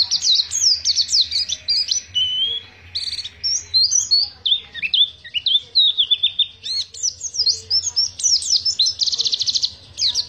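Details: Pacitan-type Oriental white-eye delivering extended ngriwik song, high rapid chirps mixed with warbled, wavering phrases and a buzzy trill near the end, steady and unbroken.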